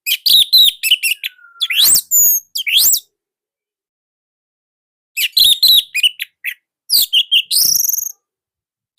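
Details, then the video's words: Captive orange-headed thrush from Indonesia, singing nonstop in a loud, slightly dense, unique style used as master song for training other birds: two bursts of varied high chirps, whistles and rising slurs separated by a silent pause. "Kicaumania Anis Merah Indonesia//Gacor Nonstop."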